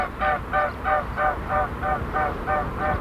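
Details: Three mute swans flying past make a musical, throbbing wingbeat hum, about three steady pulses a second, over a soft low rumble, with snipe calling in the background.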